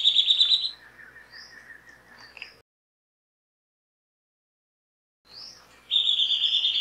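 Rufous Gnateater giving high, rapid chattering trills in short bursts, with softer thin notes between and a silent pause midway.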